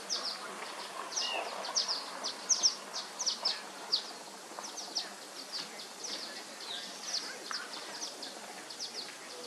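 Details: Violet-green Swallow fledglings in Lane County, Oregon, on 7/4/21 give a steady run of thin, high chips and twitters, several overlapping, over a soft background hiss.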